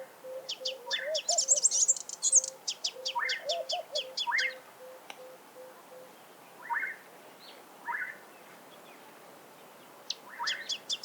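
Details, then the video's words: Sunbird singing in its natural habitat: dense bursts of high, rapid chirps and tinkling trills at the start and end, with short rising call notes and a low steady warble between them. "Sunbird Singing Sounds"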